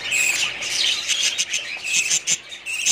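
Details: Many budgerigars calling together in a breeding colony in 2017, a continuous bright chirping warble with short whistled notes and sharp squeaks.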